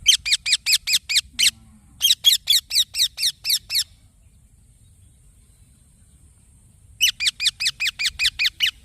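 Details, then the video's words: Young green parrot repeating fast, scratchy chirps in long runs, a brief gap, then another run, with a silent stretch of about three seconds before the chirping resumes. "Green Baby Parrot Chirping Sounds"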